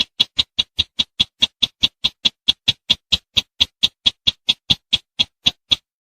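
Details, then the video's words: Bush bird (sintar semak), a call used as a lure for bird hunting: a fast, steady string of sharp, high chipping notes, about four or five a second, without pause for six seconds. "THE SOUND OF THE BUSH BIRD, CLEAR SOUND"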